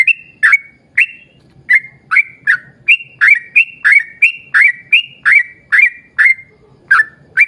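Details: Energetic rapid song of a yellow-vented bulbul meant to coax others of its kind to sing: clear chirpy whistles repeated almost every half second, some rising, some slurred downward, over a quiet low background rumble.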